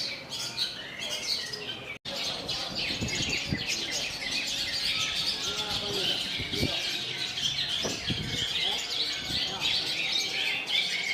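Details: Long-tailed shrike singing a mimicked kolibri song: dense, rapid high chirps and twittering notes, tumbling irregularly with a brief break near two seconds, over a steady busy background.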